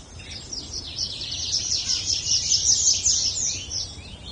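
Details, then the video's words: Dense chirping of birds: a fast, continuous run of thin, high twittering notes that swells in the middle, over faint low background noise. "Birds Chirping"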